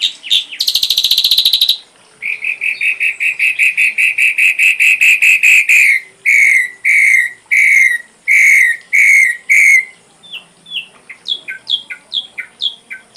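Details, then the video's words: Tutor recording of ashy drongo song with full content for songbirds: a brief harsh burst, then a long rapid rattling trill that breaks into a steady series of loud, buzzy notes, ending with short high whistled slurs. "Masteran srigunting abu abu isian lengkap"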